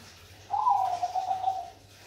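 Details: Bangkok-type zebra dove (perkutut Bangkok) singing actively: a single warbling coo of about one second that begins slightly higher, then settles into a quavering, fluttering trill. A faint steady low hum runs underneath.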